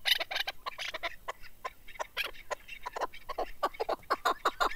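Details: Male chukar partridge, described as a mountain partridge (keklik) kept for hunting, giving a dense run of short, sharp clucking notes at an uneven pace that speeds into a tighter burst near the end.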